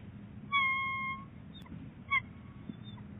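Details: Bald eagle pair at the nest, Big Bear Lake, 22 January 2018, with the male delivering fluff: one sustained, clear whistled cry of about half a second, then a brief sharp note, over low background rumble.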